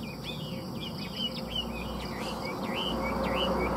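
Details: Caged Chinese hwamei for sale in Vietnam, producing a rapid chain of looping whistled notes, each dipping and rising, over a low background drone.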